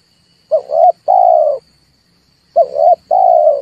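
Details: Lure recording of a red turtle dove for stimulating birds to call before trapping: a hollow three-part cooing phrase, short note, swelling note and long even note, given twice about two seconds apart, with a thin steady high hum behind.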